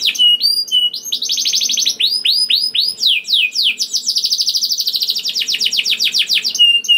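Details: Canary song used as a lure to get other canaries singing: a long, continuous stream of rapid sweeping whistles and rolling trills, with quicker buzzing stretches, unbroken for the whole clip.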